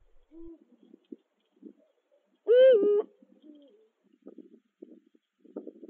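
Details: Eurasian eagle-owls courting, a female with a new male that appeared in autumn; one loud harmonic call with a bending tone stands out among soft low hoots and scattered short notes.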